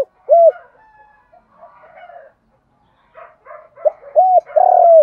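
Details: Spotted dove morning lure call for attracting wild doves. One isolated low coo, a long quiet stretch with faint bird chatter, then a closing phrase of two arched hoots and a long buzzy coo.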